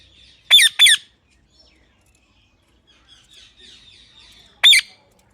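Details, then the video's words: Parrot kept as a pet, imitating speech: two fast, grating syllables with falling pitch, a long pause with faint chatter, then one more loud harsh burst. "talking parrot mummy"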